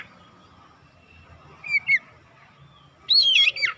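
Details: Oriental magpie-robin lure song, meant to quickly agitate other magpie-robins into persistent singing that reveals their learned repertoire: a quiet steady hum, then a short pair of whistled slurred notes, and after a pause one loud burst of rich warbling.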